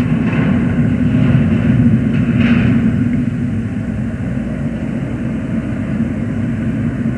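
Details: Heavy engine and vehicle roar by a bridge, loudest early then easing slightly, with no animal voice.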